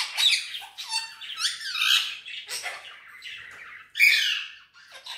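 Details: Green ringneck parakeet, an Indian ringneck pet known for talking and whistling in Urdu/Hindi, gives a continuous run of rough, warbling chatter with a faint low whistle, ending in a louder raspy squawk.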